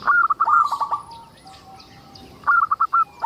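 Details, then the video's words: A local zebra dove, singing to prompt other zebra doves to sing, gives two brisk phrases of fast clipped coo notes with a quiet pause between them. "Suara indah perkutut lokal gacor untuk pancingan"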